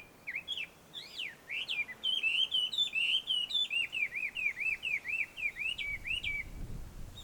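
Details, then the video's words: Chinese hwamei in the wild at a Tenmangu shrine ringed by shady trees, Joso, Ibaraki, Japan: lively whistled song of looping, rising and dipping notes delivered in a rapid, nearly continuous series. "ガビチョウの鳴き声鳴き声。suara merdu Poksai di alam liar!"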